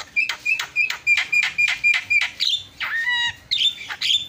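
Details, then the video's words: Javan myna singing in a tutoring recording: about ten rapid, evenly spaced rasping notes, then a drawn-out downslurred whistle with a steady low tone, and a few harsh squawks to finish. "FULL MASTERAN KICAUAN JALAK PALING YAHOOD"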